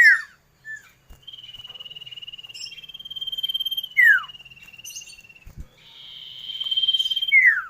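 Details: Common iora giving long drawn-out steady whistles interspersed with sharp descending slurred notes, the level whistle held for nearly three seconds then a second higher one, with a few clicks between.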